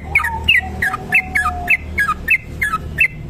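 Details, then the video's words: Trucuk kebo bulbul giving a long rapid ropel song, used for bird tutoring and luring: quick repeated chirpy whistled notes dipping and rising, about three per second, over a faint steady lower whistle and low background hum. "trucuk kebo ropel panjang"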